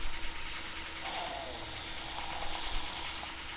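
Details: A steady mechanical rattle and low hum with no animal calls.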